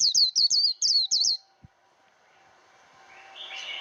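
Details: Japanese white-eye kept for song training gives five quick, high, slurred whistles in the first second and a half, followed by quiet with a faint steady tone and rising background hiss.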